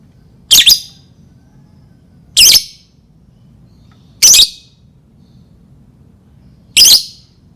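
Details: Lovebird calls used as a lure to provoke other lovebirds into singing: four loud, harsh, high chattering bursts, each about a quarter second long and spaced roughly two seconds apart, over a low steady hum.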